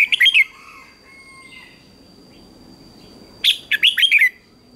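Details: Red-whiskered bulbul in a morning singing contest: a short whistled phrase at the start, soft thin notes in between, then a second, longer phrase of five loud rising and falling whistles.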